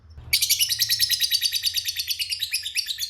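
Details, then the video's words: Lovebird giving a long 'ngekek panjang' trill, a lure sound used to provoke other lovebirds: after a brief click, a dense, rapid, high-pitched chattering burst begins abruptly and runs unbroken for nearly three seconds over a faint low hum. "Suara Pancingan Burung Lovebird Ngekek Panjang"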